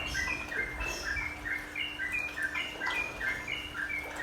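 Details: Sooty-headed bulbul song: brisk, rapid chirps and slurred whistles repeated without pause over a soft hiss. It is used as a calming master song for the nropel and menggaruda singing style.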